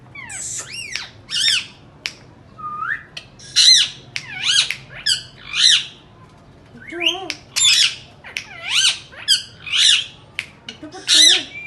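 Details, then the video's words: Indian ringneck parakeet at home, talking and making sounds: a long run of loud, harsh, arched squawks repeated at irregular intervals, with a few softer whistled and low nasal notes between them, indoors. "Indian parrots talking and making sounds lovely and best voice"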